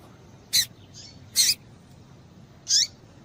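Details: High, piercing chirps from a female double-collared seedeater, calling to excite a male. Three short notes come about a second apart, the final one sliding downward, with a faint softer note in between.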